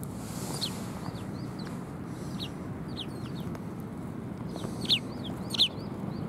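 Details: Sparrows gathering for food at a Tenmangu shrine, 18 December 2020, chirp irregularly with short downward notes; two louder, piercing chirps stand out near the end over a low rumbling backdrop.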